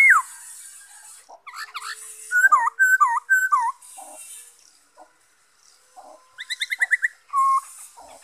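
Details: Black-throated laughingthrush song, 5 May 2021: varied looping whistled notes in a lively phrase, a quiet gap, then a fast rattle of repeated notes ending in a steady whistle.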